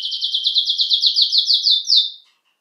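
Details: Song of a domestic canary (canário-belga or canário-do-reino): a fast, even series of about a dozen high, downward-slurred notes, roughly six per second, ending in one louder note before fading.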